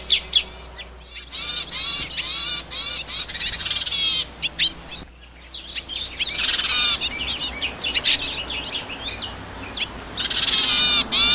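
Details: Wild yuhina hunting for food for its young gives bright, high, rapid chirps, many with arched or downslurred shapes. They come in dense bursts of about ten notes, with brief pauses and a few sharp, harsher notes between.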